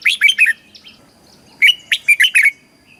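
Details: Thai red-whiskered bulbul singing a southern master-style song meant to stir caged birds and tutor youngsters: a rapid cluster of chirpy whistled notes, a short pause, then a second longer burst of five clear notes.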